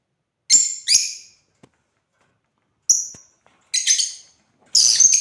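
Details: African lovebirds kept as pets, playing: scattered shrill chirps in pairs and singles, ending in a longer harsh chattering burst.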